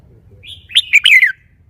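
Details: Song of a caged red-whiskered bulbul: a quiet introductory note followed by a fast, loud phrase of four slurred whistles that warble and fall away at the end, over a faint low hum.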